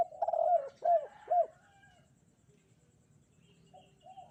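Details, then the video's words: On a bright sunny morning, a spotted dove sings in the kuk 2 style. A drawn-out coo is followed by two short, sharply arched coos about half a second apart. Quieter, distant coos come after a pause. "burung derkuku kuk 2 gacor"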